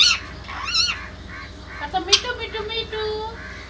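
An Indian ringneck parakeet chatters in a raspy, nasal voice, mimicking speech with quick, clipped syllables and a few shrill squeaks.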